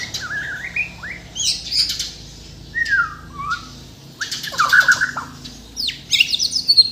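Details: White-rumped shama from Borneo, native to Kalimantan, in energetic song full of mimicked fills: rising and falling whistled phrases, sharp rasping bursts and high chattering notes separated by short pauses.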